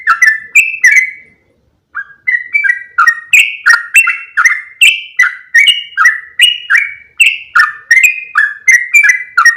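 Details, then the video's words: Yellow-vented bulbul lure call, used to draw other bulbuls toward the bird: loud clipped notes near one pitch repeated about three times a second, each a short sharp attack sliding into a flat whistled tail, one pause early on. "SUARA PIKAT BURUNG TRUCUKAN INI AKAN MENGHAMPIRI BURUNG ANDA"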